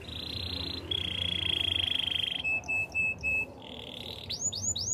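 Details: Training song of a Spanish Timbrado canary: a sustained buzzy roll shifting to a lower pitch, four separate metallic bell-like notes, then a short trill and rising-falling slurred whistles at the close.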